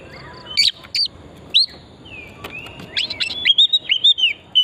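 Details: Lively forest oriental magpie-robin singing as a lure: sharp whistled notes at first, then quicker varied chirps and warbled whistles running together toward the end.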